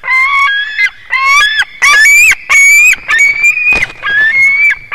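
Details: At Durbe, 13 August, a white-tailed eagle eaglet in the nest on its fourth day, recorded by a live broadcast camera, gives rapid overlapping drawn-out whines with strong harmonics, some notes stepping up in pitch, with barely any gaps.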